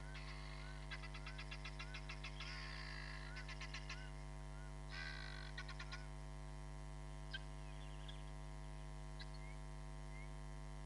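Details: Repeated rattling series of fast nasal notes from a hamerkop at Nkorho Bush Lodge, live camera, 31 July 2021, several bursts in a row before a few thin whistles, all over a steady electrical hum.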